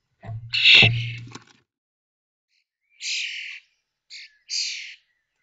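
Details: Common starling fledglings leaving a nest box at Théding, France, on 19 May 2024, 21 days after hatching, five chicks from one connected brood; one loud harsh rasping burst with a low thump, then three shorter hissing squawks.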